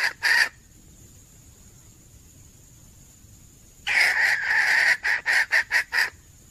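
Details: Female red junglefowl calling males, 17 February 2021: one brief harsh note, a pause of about three seconds, then a loud rasping cackle breaking into a run of about six clipped, evenly spaced notes.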